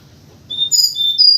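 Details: Morning lure call of a white-crowned forktail: brief piercing high whistles, one long steady note followed by a short cluster of sharp notes and another clear whistle.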